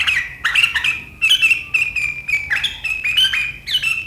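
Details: Sooty-headed bulbul, 7 April 2023, chattering in the sharp riwikan style that sets rivals off; rapid buzzy bursts alternating with level whistled notes, some phrases dipping then rising, continuous for four seconds.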